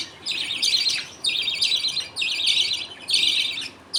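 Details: Budgerigar family in a colony, father feeding two chicks while others await food; four or five gritty chattering bursts, each about half a second, over four seconds.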